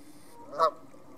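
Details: A single short, clear honk from one of the vocal geese at North Third reservoir near Stirling, rising briefly then fading, over faint steady background hiss.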